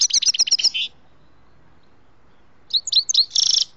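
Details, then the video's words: Grey-headed goldfinch recorded during trapping, giving quick high chirps and twittering trills, a rapid buzzy burst at the start, then silence, then scattered sharp notes leading into another dense trill. "ловля седоголовие щегол"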